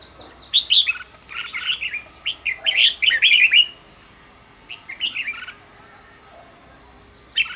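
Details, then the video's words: Red-whiskered bulbul kept as a training decoy, singing quick and intense. A run of rapid warbled, slurred whistles ends abruptly, followed by a shorter phrase and silence. "Cách luyện chào mào mồi - Hót hay nhanh lửa, Căng"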